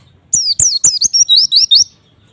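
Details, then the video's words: Single phrase of white-eye song meant to draw replies from other white-eyes: three loud high downslurred whistles leading into a rapid series of short, rising sweet notes. "semua jenis pleci pasti respon setelah dengar suara pleci ini"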